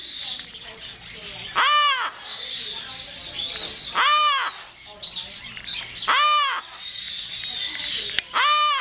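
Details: Captive yellow-naped amazon parrot cawing: loud, harsh, arched squawks given singly about every two seconds, each a rising-then-falling rasp with strong harmonics, over a steady background hiss.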